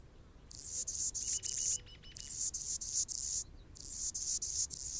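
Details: Anna's hummingbird singing from a branch in Golden Gate Park, San Francisco, California: dry, buzzy, very high scratchy phrases in pulsed bursts of about a second, broken by short pauses, with a faint lower ticking series in between.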